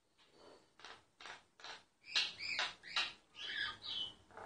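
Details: Myna song recorded covertly: a rhythmic series of rasping bursts, roughly two per second, building into louder grating notes mixed with high whistled squeaks.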